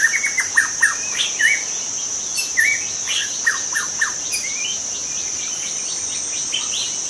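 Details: Young wild white-rumped shama singing in forest: short varied chirps and rising whistled notes in quick bursts during the first half, over a steady, loud high insect drone that continues throughout.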